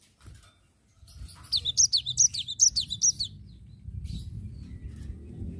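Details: Energetic cinereous tit song: a quick series of bright, high, downward-slurred double notes lasting about two seconds, followed by a low background rumble.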